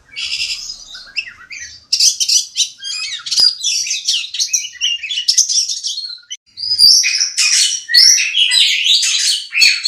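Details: Oriental magpie-robin, a contest-winning bird sung for training other birds for song competitions: loud, rich, fast-changing song of sweet whistles, harsh buzzy notes and rapid chattering phrases, nearly continuous with brief gaps.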